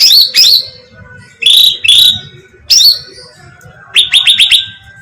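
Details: Bulbul, known as cucak ranting, calling in a bait recording to attract birds: spaced loud, slurred chirps, then a quick burst of five rapid sharp notes at the end.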